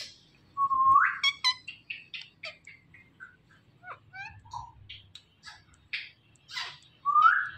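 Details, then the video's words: Indian ringneck parrot in a flock sends out a loud rising whistle, then a run of short chirps, clicks and chattering notes. Another rising whistle ends the sequence over quiet background. "Ringneck Parrot Flock Natural Sounds"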